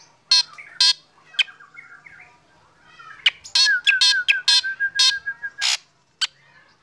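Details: Black drongo singing in the morning while set out in the sun, prompting other birds to sing along; loud harsh rasping notes mix with clear whistled phrases, including a rapid run of short, even, whistled notes near the end.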